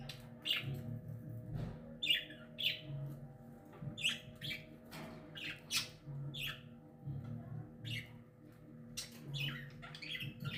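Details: Rose-ringed parakeet, a pet green ringneck, vocalizing indoors in a small room: a run of short, harsh, rising squawks and chirps in quick irregular bursts, with a low steady hum behind.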